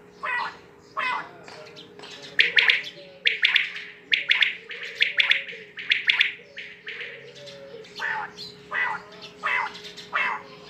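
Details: Quail calling steadily for about ten seconds, bursts of quick bright notes coming about once a second, louder in the middle and softer toward the end, with a faint constant drone.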